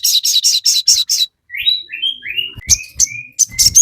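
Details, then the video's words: Crested jay calling to provoke a response: six evenly spaced raspy bursts, then rising whistled slurs and sharp high chips, with faint low thumps beneath. "sogon GACOR FULL KICAU, Pancingan sogon JADIKAN burung cepat bunyi langsung nyaut ngamuk"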